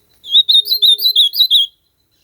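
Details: Ultramarine grosbeak in nature delivering one short song phrase of about seven quick, slurred whistled notes that rise and fall, lasting roughly a second and a half, with a clean, quiet background.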